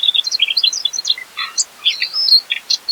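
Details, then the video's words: Mugimaki flycatcher singing fast, vigorous song rich in filler phrases: a quick jumble of high, thin chirps and brief whistles, then more spaced sharp notes about every quarter second. "SIKATAN MUGIMAKI GACOR FULL MATERI ISIAN"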